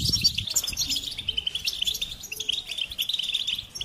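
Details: Goldfinch song of fast, jangling chirps and short trills that run almost without a break, bright and high, over soft low noise.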